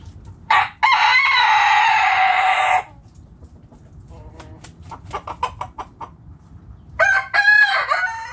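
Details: Backyard chickens: a loud rooster crow from about 0.5 to 2.8 seconds, a short two-part burst, then a run of quick soft hen clucks and a second rasping crow near the end.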